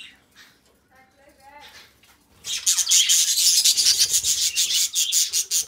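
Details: Pet budgies kept together as companions: faint wavering tones at first, then a sudden, sustained outpouring of rapid, buzzy, scratchy twittering.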